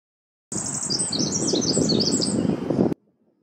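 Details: A Pacific Wren in Golden Gate Park, San Francisco, USA, in June 2024, sings a very high, rapid tumble of tinkling trills and twitters for about two seconds, over a steady low rumble of background noise.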